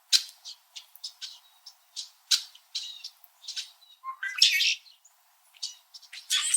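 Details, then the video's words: Wintering Red-winged Blackbirds, a noisy group high in backyard trees in Southern Ontario, Canada, chirping back and forth: a steady scatter of short, crisp chip notes, broken by a loud, harsh, buzzing call and a final rasp. "Red-winged Blackbird Winter Calling and Chirping Sounds"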